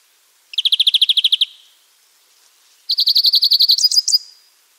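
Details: Two crisp, evenly pulsed trills from a free-living European greenfinch, each about a second long with roughly a dozen notes, the second rising slightly at its end, over a quiet background.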